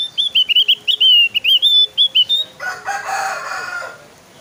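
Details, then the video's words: Javan white-eye song used to lure other kept white-eyes into singing; rapid string of high, thin, slurred whistled notes for about two and a half seconds, with a low steady hum, then fading rustling noise. "PANCINGAN SUARA BURUNG OPIOR JAWA GACOR SUARA JOS"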